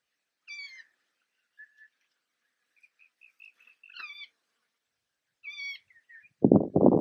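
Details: Juvenile Mulga Parrots being fed at Patchewollock Conservation Reserve, Victoria, give nasal, wailing, downslurred begging calls and a run of soft, short chirps; a burst of rough noise sounds at the end.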